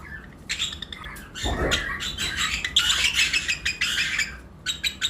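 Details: Lovebirds chirping in a flight cage during breeding season, pairs of colour mutations together: thin chirps build into a dense shrill chatter, with a soft rustle of movement partway through.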